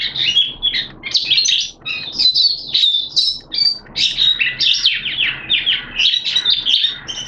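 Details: Hobby-kept Oriental white-eye giving its opening song on 11 September 2022 during wet, erratic weather: a dense, fast stream of high chirps and warbled trills, barely pausing throughout.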